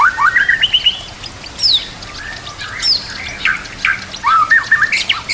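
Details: White-rumped shama song for training other birds: scattered whistled phrases, sharp high downslurred notes and brief chatter, spaced by pauses, with soft background hiss.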